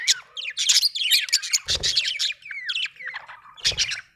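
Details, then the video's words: Budgie in continuous chattering warble: fast tumbling squeaks, clicks and short rising whistled notes run almost without a break, with a couple of low bumps underneath. "budgie chirping sound"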